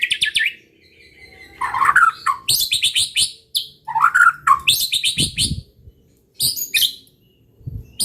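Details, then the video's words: White-rumped shama in loud provocation song, used to rouse rival shamas. A varied stream of rich whistled slurs mixes with rapid high chattering trills, broken by brief pauses. "pancingan muraibatu gacor bikin murai lawan dengar AUTO EMOSI TINGGI |pancingan murai |shama bird"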